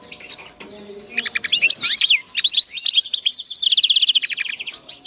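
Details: A linnet-canary cross bursts into fast, varied twittering, then rolls into a steady rapid trill of repeated notes, loud and clear against a quiet background.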